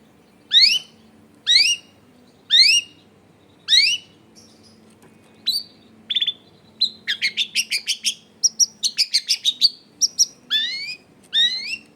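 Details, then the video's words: Long-tailed shrike lure song for prompting other shrikes to sing: four loud rising whistled sweeps about a second apart, followed by quick chattering notes and varied whistles, over a quiet low hum. "SUARA CENDET GACOR PIKAT AMPUH BIKIN BURUNG CENDET LAIN LANGSUNG ON DENGAN MUDAH NYAUT GACOR DOR"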